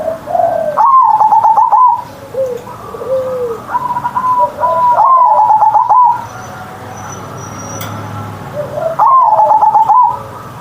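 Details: Kept zebra dove, singing mornings with a loud deep ngerot voice: three stuttering rolling coo phrases, quieter answering coos between them, and a faint high chirp near the end.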